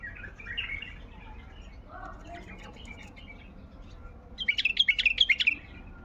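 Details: Baghdadi bulbul singing soft scattered chirps at first, then a loud, fast run of sharp, bubbling notes near the end, with steady low background noise throughout.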